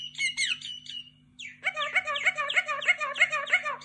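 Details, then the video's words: A myna gives a few harsh, complex notes, then a fast run of squawky, nasal notes about three per second, over a low electrical hum. "تغريد طائر المينا mynah bird"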